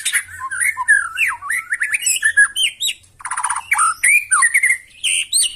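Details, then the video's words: Loud rough song of a white-rumped shama meant to make other birds respond: varied rising and falling whistles, harsh buzzy bursts and quick chattering notes in fast succession. "KICAUAN MURAI BATU NEMBAK KASAR AUTO NGAMUK SEKALI DENGAR LANGSUNG NYAUT"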